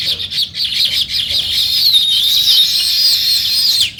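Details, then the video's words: Close, continuous sparrow chirping in the morning, a rapid stream of overlapping high tweets with some thin whistled slurs woven through. "Natural Sparrow Chirping Sounds | Morning Sparrow Scene"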